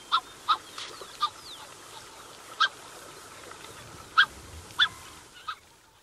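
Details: Close-up calls from a Black-necked Swan pair accompanied by their cygnets: short, clipped nasal notes with bright overtones, given singly at uneven intervals, about eight over six seconds, against a faint steady background hiss.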